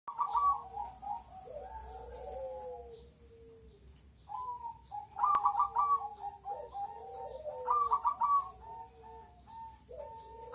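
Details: Crossbred zebra dove singing: bursts of rapid, bubbly staccato coos break into drawn-out, wavering notes that slide downward. Phrases return about every three seconds, with a lower cooing line overlapping beneath them.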